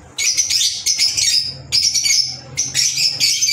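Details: Shrill, rasping chirps from green Fischer's lovebirds in four loud bursts about one second apart, each a tangle of high squeaks, with a faint low hum underneath.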